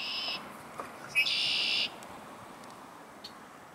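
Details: Red-winged blackbird, among the first of 2022, gives a brief high buzzy note, then a sharp click into a harsh, buzzing trill about two-thirds of a second long, over a light outdoor hiss.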